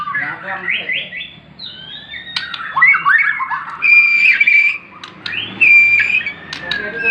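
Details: White-rumped shama from Borneo, kept as a hobby songbird, giving clear sustained whistles and rising slurred notes between short chattering bursts, with faint background hum.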